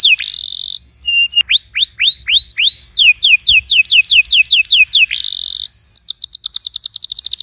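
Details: Canary song meant to stimulate a canary that has stopped singing: a quick sequence of rising whistled swoops, varied note tours, and a closing rapid trill, clean and loud.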